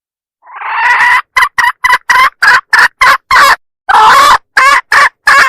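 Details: Calling hen used as a lure for roosters: one drawn-out rasping note opens a rapid string of sharp, clipped clucks, broken by one longer, harsher call midway.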